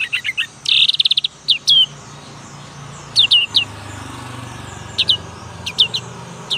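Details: Young black-capped white-eye learning to sing: an opening rapid trill of stuttered high notes, then sparse, scattered pairs of sharp descending whistles against low-pitched background noise.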